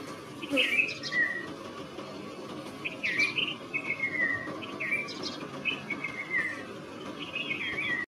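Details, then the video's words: Red-vented bulbul calling: short, bright chirpy phrases with slurred, downward-sliding notes. The phrases come in bursts every one to two seconds over a steady low rumbling background. "Red Vented Bulbul Sound Calling - Sounds of Bulbul - Bulbul Song"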